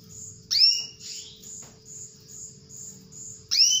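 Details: Calls of a female canary meant to lure a male into song: two loud upward-sliding whistled notes three seconds apart, separated by soft, evenly spaced high chirps and a low hum.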